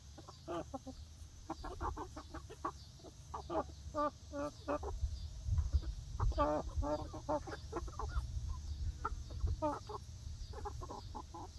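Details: Young egg-laying hens, a new flock, on their first day in a new outdoor backyard coop run, keep up a busy stream of short clucks and soft trilled calls from several birds, over a low background rumble.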